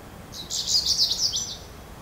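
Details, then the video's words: Goldfinch calling: a rapid, bright, tinkling twitter of closely run high notes lasting about a second, over faint background hiss. "Goldfinch calls"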